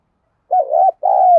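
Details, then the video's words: Low, mellow coo from a female spotted dove used as a decoy to draw in males. It has a wavering first note and a smooth second note that holds, then drops slightly. The background is silent. "Tiếng cu gáy mồi thúc gù kích bổi chuẩn_Cu gáy mồi gáy gọi 1 hậu / Chim cu gáy mồi kích trống"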